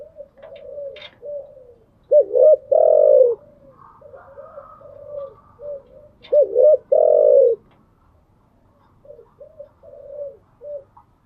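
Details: Kept spotted dove giving its morning call twice: each phrase starts with soft hoots, then a gulping double note and a long, loud, falling coo. Quiet hoots fill the gaps.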